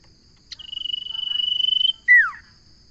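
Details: Common iora song: a sustained, evenly pitched trill of rapid pulses lasting about one and a half seconds, ending in a loud, sharply downslurred whistle, over a faint steady hum.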